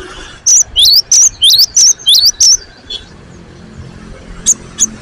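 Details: Energetic cinereous tit singing: a fast series of bright, high two-part whistles, each a falling then rising slur, about seven in a row before quieter single notes.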